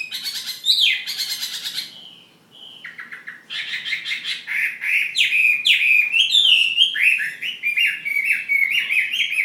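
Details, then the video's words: Fighting-type Chinese hwamei from Hà Giang delivers a brief bright whistled phrase, pauses, then pours out a long run of rapid, high, rolling whistles that step up and down. "Họa mi chiến Hà Giang"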